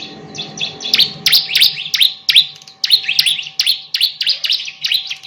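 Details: Bar-winged prinia in active song, recorded to train other songbirds: loud, buzzy, downward-swooping chirps repeated roughly three per second, with a low murmur early on and a soft hum throughout.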